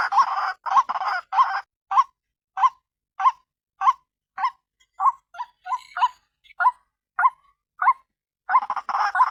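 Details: White-breasted waterhen calling as a lure to attract other waterhens: harsh, nasal notes repeated quickly, with denser rasping bursts at the start and end.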